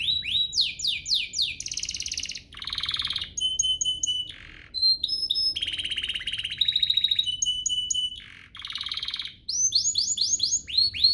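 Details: Canary singing to provoke other canaries into song: quick descending whistled sweeps, buzzy rattling blocks, steady pure tones and bursts of chattering trills alternate, with brief pauses between phrases.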